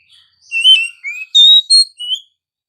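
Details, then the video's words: Short morning phrase from an Oriental magpie-robin, a quick run of varied high whistles, swooping and slurred, ending on a rising note. "suara burung Kacer pagi hari"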